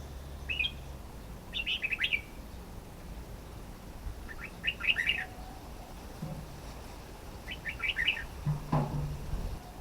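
Red-whiskered bulbul giving short bursts of bright, chattering notes, three phrases spaced a few seconds apart, over low background rumble.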